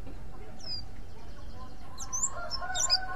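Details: Mountain white-eye giving "ngriwik" calls said to lure other white-eyes: a few thin, high, sharp chirps, scattered and then closer together near the end, over a steady low rumbling background.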